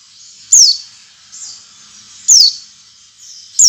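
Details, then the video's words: Oriental white-eye song played to stimulate other white-eyes to sing: single high, thin, descending whistled notes repeated roughly every two seconds, with soft high background between them. "suara pancingan pleci agar pleci ngalas dan pleci buka paruh buka paruh"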